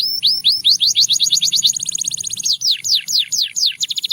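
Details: Russian singing canary, sung as a melody to draw other canaries: rapid repeated high notes, first upward-curving then falling swept notes in quick series, tours changing every second or so, with a faint low hum beneath.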